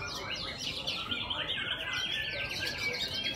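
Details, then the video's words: White-rumped shama song during a singing contest, session 7: bright, sweeping whistles and a long clear rising note amid fast twittering phrases from neighbouring birds, faint low background hum. "MURAI BATU"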